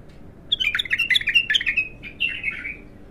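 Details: Young untrained bulbul in its first song: a fast, loud string of bright chirping and slurred notes, then a brief pause and a softer falling warble.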